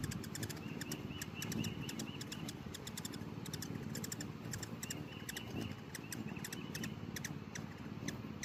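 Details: Hummingbirds in a feeding frenzy: sharp, high, clicking chirps repeated in quick bursts throughout, over a steady low buzzing hum of wings.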